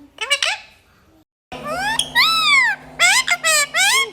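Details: Talkative parrot indoors with a couple of quick squeaks, a pause, then long drawn arching harmonic calls in a rapid series over a low steady hum.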